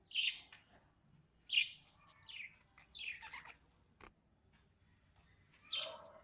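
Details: Several lovebird chirps: loud shrill notes spaced about a second or more apart, a few falling in pitch, with a lower twittering note at the end and quiet gaps between.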